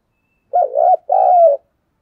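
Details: A decoy spotted dove calling to wild doves gives a low two-note coo, a brief undulating note followed by a fuller, longer coo that slides down at the end.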